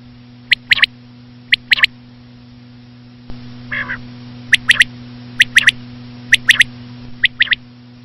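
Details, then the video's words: Common quail (batair), labelled as a female, giving sharp three-note phrases about once a second, with a short low buzzy sound in a pause midway and a steady low electrical hum throughout. "common quail.quail sound effect.batair ki Awaz.Звук самки перепела.صدای بلدرچین ۔.बटेर की आवाज"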